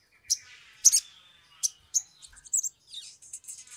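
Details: Sumatran leafbird (sogok ontong) in excited song, used as a lure to make birds sing: rapid sharp chips and high squeaky notes, then a jumbled run of buzzy, chattering phrases.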